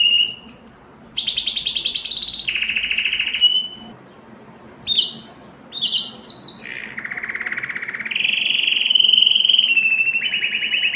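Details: Canary song used to arouse females for mating: a series of fast rolled trills at shifting pitches, short pauses with single notes, then sustained buzzy rolls.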